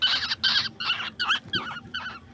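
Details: Home-reared baby birds being fed at night give loud, harsh, buzzy chattering bursts in quick succession, rasping and slightly rising, with low household sounds underneath.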